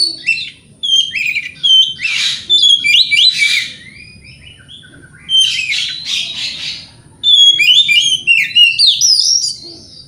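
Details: White-rumped shama giving a morning lure song to make rivals respond: dense fast runs of whistles and grating rasps in long bursts, with one quieter pause mid-way.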